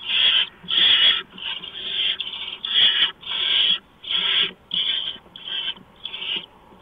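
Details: Harsh rasping screeches from barn owls at the nest before dawn, 6 March 2015, during a mouse delivery. About nine breathy bursts come in steady succession over seven seconds, separated by short gaps.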